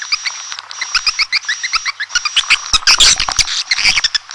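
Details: Red-nest swiftlet (walet sarang merah) lure sound: short chirps repeated several times a second over a steady high whine, then a louder burst of overlapping shrill twittering.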